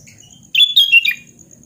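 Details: Sooty-headed bulbul, a vigorous singer, recorded as therapy for a bulbul that has gone quiet; a single crisp phrase of loud liquid whistles, three or four notes ending lower, against near silence.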